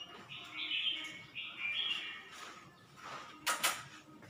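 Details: Red-whiskered bulbul recorded at Suan Phueng, Ratchaburi, delivering two short liquid warbles in quick succession. Later come harsh broadband clatters, like handling or cage noise, over a hissy background.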